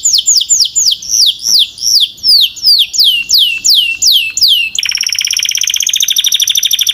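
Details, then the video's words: Canary song of repeated loud downslurred whistles, about two per second, switching abruptly into a fast, rich rolling trill. "Relax with the Most Popular Canary Singing - Beautiful Melody"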